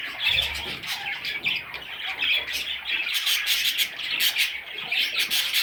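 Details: Young parrot chicks keep up a steady, scratchy chatter of overlapping squawks, rasping without pause, with a brief low bump near the start.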